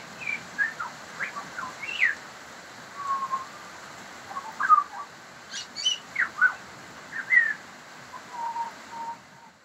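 Pied butcherbird singing clear, fluting whistled phrases that rise and fall, delivered in short bursts every second or two against a soft background hiss.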